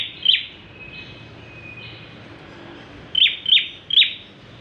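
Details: Bar-winged prinia singing briskly, as a lure recording for other birds: one sharp high note, a quiet gap, then three quick, loud chips in a row.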